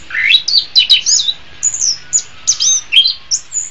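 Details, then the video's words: Song of the orange-headed thrush (anis kembang) as a training master for songbirds in the morning or afternoon; opens with a rising whistled slur, then spaced clear whistled notes and short high chirps. "SUARA BURUNG - Masteran Terbaik Anis Kembang"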